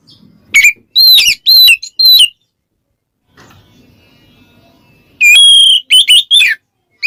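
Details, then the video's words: Kacer, white-rumped shama, ngeplong calling to a challenger: a few sharp whistled notes and slurs, a silent gap with low rumble, then a long clear whistle followed by quick falling notes. "suara burung Kacer NGEPLONG memanggil lawan bikin Kacer lain EMOSI"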